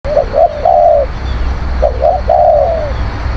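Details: Zebra dove song, used to lure wild birds: two soft short coos followed by a longer rolling trilled coo, the phrase repeated twice, over steady low background hum.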